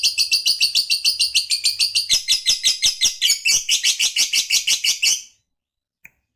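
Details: Lovebird in a caged setting gives a fast, high ratcheting chatter of evenly spaced rasping notes, about three per second, ending abruptly after five seconds, followed by one faint click.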